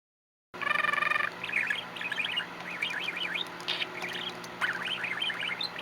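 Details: A pet budgie chirping and trilling: a buzzy harmonic burst, then rapid twittering warbles and chirps, over a steady low household hum.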